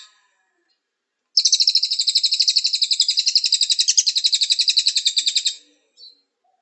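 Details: Cililin song for training birds to sing in morning or afternoon; a single long, high, rattling trill of rapidly repeated notes lasting about four seconds, bracketed by silence and a brief final chip.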